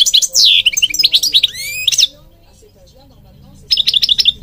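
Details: European goldfinch singing for bird training: a loud, fast twittering phrase with rising slurred whistles, then quiet, then a short run of quick, evenly spaced chirps.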